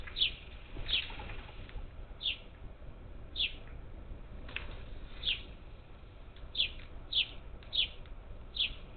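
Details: Up to ten parakeets at a feeder on Houston's outskirts, Texas, summer 2021, call steadily: about ten clipped, high, downward-sliding chirps over nine seconds, some paired closely, above a quiet low hum.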